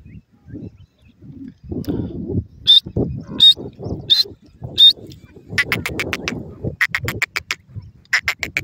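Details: Female grey francolin (teetar) teaching her young to call: four sharp, high whistled notes spaced under a second apart, followed by a rapid run of dry clicking bursts, over low rustling and handling noise.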